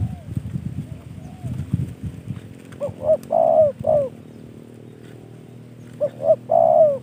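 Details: A hobbyist's spotted dove repeats its cooing phrase twice, about three seconds apart: short rising coos, then a long steady coo and a falling tail. Low rumbling noise opens the recording.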